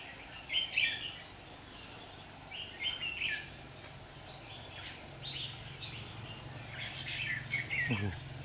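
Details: Red-whiskered bulbul, trapped on 27 September 2019 while fighting; lively chirpy warbles in several bursts, a tight cluster at the start and a busier run near the end, over a low droning hum.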